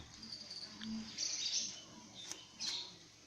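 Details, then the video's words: Common hill myna known for imitating the call to prayer, coughing and calling mum and dad gives thin high whistles followed by loud, raspy, high-pitched bursts, two sharp clicks and a final screechy note. "Burung Beo Bicara : Menirukan suara Adzan, Batuk dan panggil Mamah dan Bapak"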